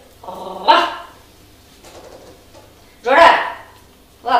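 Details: A pet grey parrot barks like a dog to scare a kitten in play, as it does when cats approach its cage, giving three harsh barks, each about half a second, spaced unevenly, while a woman talks softly in between.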